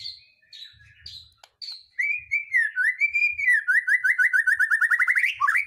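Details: A white-rumped shama sings to provoke other birds into singing: a few high descending notes, then a long run of rapid, evenly repeated whistles that speeds into a fast trill.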